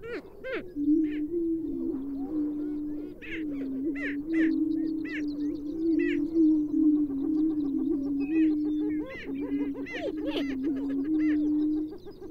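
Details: Greater prairie-chickens with a continuous low, wavering hooting drone, overlaid by repeated sharp cackling and whooping notes in short bursts.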